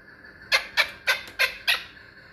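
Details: Pamir chukar partridge kept for hunting, calling five sharp, clipped chuk notes spaced about a third of a second apart after a brief quiet start.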